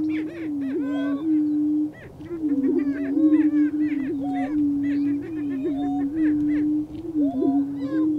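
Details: Lesser prairie chicken roosters booming on a lek in the Flint Hills of Kansas, a mating display with confrontations to attract a hen: overlapping low steady hooting drone, broken by rising whoops and sharp cackling notes from several birds.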